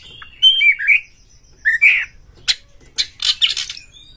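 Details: Caged oriental magpie-robin giving short whistled phrases followed by a burst of rasping, scratchy notes; played to provoke other magpie-robins into singing and fighting.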